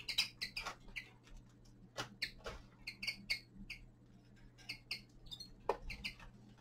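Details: Common linnet, a young male, in winter song: bright chirps and brief twangy notes come in irregular clusters over several seconds, with faint tapping and a low background hum.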